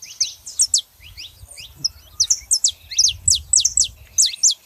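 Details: A pair of saffron finches, female and male, sing in loud bursts of high sharp downslurred chirps, pausing briefly midway and then resuming, over a steady low hum.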